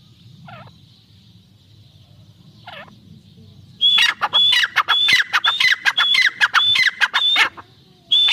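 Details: Irani teetar (francolin) pair calling: after a quiet stretch with a few soft, descending notes, a loud burst of harsh, rapid notes starts, each topped by a high whistled slur, repeated in a fast series.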